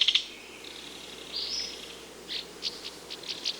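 Belted kingfisher giving harsh, high notes: a sharp opening burst, a drawn-out grating note, then a run of quick clipped notes near the end.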